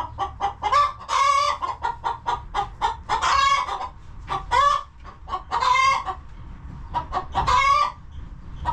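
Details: Hens relaxing in a homestead coop keep up rapid, choppy clucking punctuated by five louder, harsh, stretched squawks at irregular intervals, with a constant low rumble in the background.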